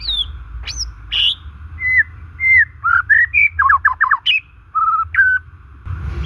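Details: Natural song of a white-rumped shama meant to stimulate stalled, stressed shamas: mixed high squeaky notes, flat whistles and a quick wavering trill of looping notes, separated by brief gaps against a steady background tone.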